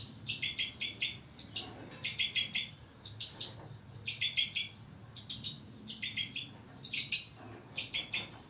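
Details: Captive breeding pair of Two-barred (White-winged) Crossbills with their young, 2012: dry, high chips in quick clusters of two to four, repeated steadily about twice a second over a faint low hum.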